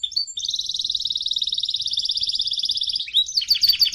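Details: Canary song used for singing training, delivered in a fiery voice: one long, even, rapid rolling trill held for almost three seconds, then quick sharp chirps.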